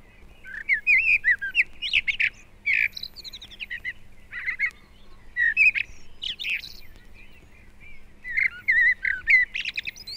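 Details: Common blackbird song from a northern bird in February woodland in Britain, 1971 recording: rich fluting warbled phrases, each closing in squeaky high twitters, delivered every couple of seconds with brief pauses between.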